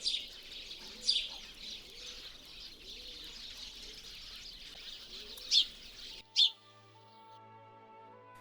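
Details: Eurasian tree sparrow (Passer montanus) wintering in central Russia, giving sharp, bright chirps over a soft hiss of background chatter.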